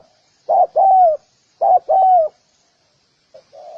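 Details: Two clear double coos from a spotted dove, each a short note then a longer falling coo, followed by a pause and the soft start of another phrase.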